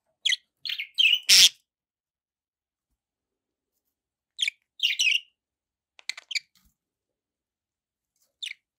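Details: Pet budgerigars giving short sharp chirps in scattered bursts, a quick cluster of three in the first second and a half, then more isolated chirps and pairs with long silent gaps between.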